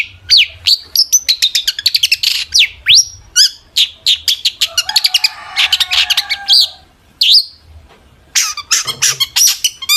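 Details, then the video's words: Long-tailed shrike in excited full song, meant to make other shrikes reply. Rapid strings of high chips and slurred whistles run with a raspy, buzzy passage midway, a short pause, then more clipped notes. "burung cendet gacor FULL EMOSI pancingan CENDET AGAR NYAUT"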